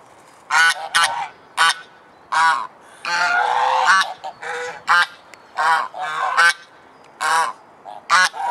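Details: Domestic swan goose in Alkmaar, Netherlands, giving loud, nasal, harmonic-rich honks in short bursts, roughly a dozen in quick succession, with one longer drawn-out grating call in the middle; quiet background.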